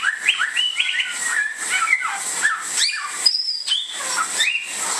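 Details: Indonesian samyong, the bare-throated whistler, gives rich whistled phrases: quick rising slurs, a few level held notes and sharp high upsweeps, all crowded closely together over a constant hiss.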